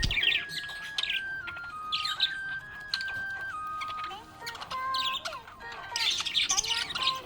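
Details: A happy budgie gives bursts of squeaky chirps and chatter between stretches of drawn-out steady tones that shift pitch like a melody, likely background music.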